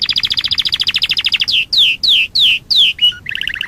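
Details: Singing canary from a showcase of distinctive breeds: a fast, even trill, then five loud, drawn-out descending whistles, a short low note, and a closing burst of quick chirps.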